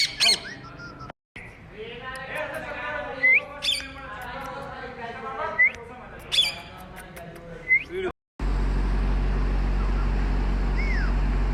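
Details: Indian ringneck parrot kept as a pet, climbing among branches, producing scattered harsh squawks and short rising chirps over a low murmuring background, ending with steady rumbling noise.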